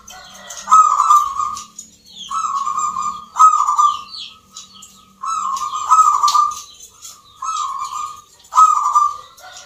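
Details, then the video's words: Zebra dove (local perkutut) at a dove singing competition in Yogyakarta gives soft, rolling cooing phrases near one pitch, repeated every second or two, with faint chirps of other birds behind. "PERKUTUT LOKAL GACOR, TURTLE DOVE,ZEBRA DOVE, BIRD SINGING"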